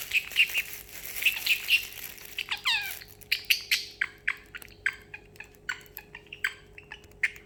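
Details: Pet parrotlet in a high mood, chattering indoors: soft high chirps, a quick descending whistled slide, then a long series of sharp clicks and ticks roughly twice a second.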